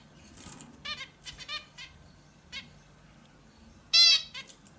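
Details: Indian bulbul with soft chattering notes, then a single loud, harsh, nasal call with rich overtones near the end; faint low hum in the background.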